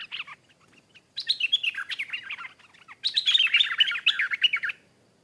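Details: Stripe-throated bulbul, a wild bird that came in to answer and fight a caged bird; loud, rich chattering warbles in three bursts, the last two long and dense with fast tumbling notes.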